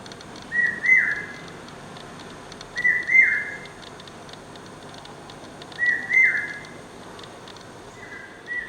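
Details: Brain fever bird (common hawk-cuckoo) in incessant song, its whistled phrases coming singly roughly every three seconds, each a shrill note sliding up then down, moderately distant above a steady hiss of background noise.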